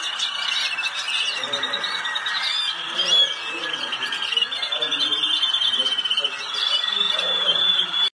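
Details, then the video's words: Malinois canary singing in a competition at the 2019 world championship, Netherlands; a sustained high rolling trill runs throughout, with brief sharper notes, while people talk quietly in the background. "كناري المالينوا في بطولة العالم هولندا 2019"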